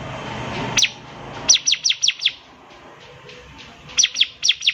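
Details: Bar-winged prinia song for training young birds: a lone sharp chip, then a loose series of five high falling notes, a pause, and another short series, all over a steady hiss of background noise.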